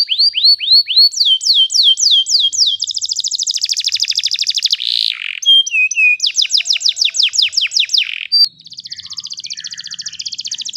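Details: Canary ngeroll song meant as training for young canaries: repeated curved whistles, falling sweeps, a long fast buzzy trill, more sweeping notes, then a softer steady high trill.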